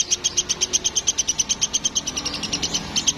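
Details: Woodpecker, described as a Sampit woodpecker in full voice, giving a fast, even series of sharp, high notes, about ten per second, held steadily for over three seconds over a low background hum.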